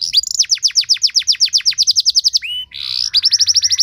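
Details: Canary training song with fancy phrasing that draws other canaries to sing: a long steady series of down-slurred whistles about eight per second, a brief buzzy note, then a fast high trill.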